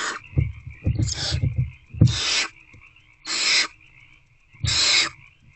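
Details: Nest-box owlets, hungry at 8:13 pm in late February 2024 and trying once more to eat a rodent, give four loud hissing bursts after a flurry of scratching and knocking sounds, over a low hum.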